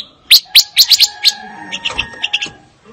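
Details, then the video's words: Fire-tailed myzornis song: a quick run of sharp, high chirps and short whistled notes, then softer twittering notes near the end. "Kicau Burung Pancawarna Paling Dicari - Tiếng chim ngũ sắc"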